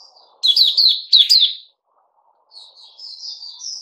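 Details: Caged Puteh Raja bulbul gives two quick bursts of loud, slurred chirping notes, falls silent briefly, then adds a soft, rising twittered phrase over faint background hum.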